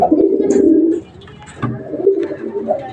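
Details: Pigeon recovered from an intestinal infection, kept indoors: a low, throaty coo lasting about a second, then softer, wavering cooing sounds in a small room.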